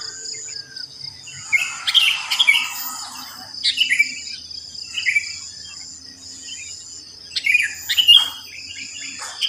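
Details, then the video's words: Just after dawn in a residential complex with many sooty-headed bulbuls: clusters of bright, bubbly chirps in separate bursts with quiet gaps, over an unbroken high-pitched insect drone. "Pancingan Ampuh untuk Terapi Burung Kutilang Malas Bunyi"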